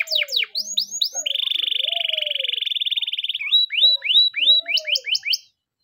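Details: Morning training song of a canary: quick slurred notes, a two-second buzzy trill, then repeated rising whistles and a short rapid high burst before silence.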